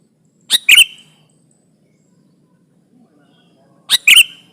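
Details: A lively sooty-headed bulbul, played as a lure to draw and challenge rival birds for trapping. Two quick bright chirped phrases, each a short note then a fuller warble, separated by about three seconds of near silence.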